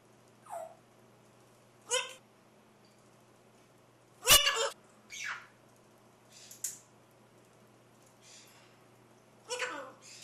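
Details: Chattering macaw giving a string of varied calls spaced over several seconds: short gliding squeals, rasping squawks and one abrupt loud crack, with brief quiet gaps and a faint steady hum.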